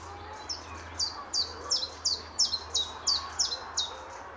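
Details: A chiffchaff calls on a spring morning in March 2014 along the garden city greenway by Standalone Farm, Letchworth. About eleven high, falling chip notes repeat steadily around three per second in a squeaky, see-saw rhythm.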